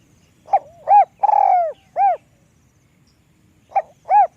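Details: Spotted dove with a small voice: a clipped note, a rounded coo, a long burry coo sliding slightly downward, another arched coo, then after a pause the phrase starts again with a short note and coo.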